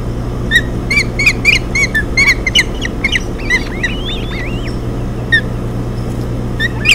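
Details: Osprey family at a Hog Island nest, June 2017, the female feeding triplet chicks after the male brings a fish: a burst of rapid sharp chirps, then looping whistled notes and scattered calls over steady low noise.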